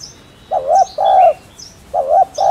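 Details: Cooing of a spotted dove, recorded to spur newly caught doves to coo. Low mellow coos come in paired notes, a short wavering note then a longer steady one, repeated twice, with faint high bird chirps behind.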